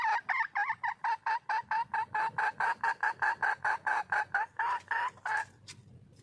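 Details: A female red junglefowl calls for a mate with a steady, fast string of roughly thirty cackling notes, evenly spaced and slightly wavering, ending abruptly before a brief quiet.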